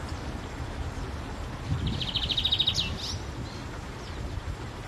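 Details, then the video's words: A lined seedeater singing free outdoors in nature gives a quick, high burst of rapidly repeated chipping notes lasting just over a second, over a steady low outdoor rumble. "PÁSSARO BIGODINHO CANTANDO AO AR LIVRE"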